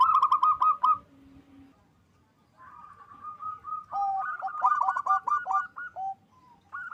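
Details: Loud local zebra dove song used to raise mating drive: fast trilled coos, a quiet gap, then a sustained whistle leading into dense, stuttering runs of beaded notes at two pitches.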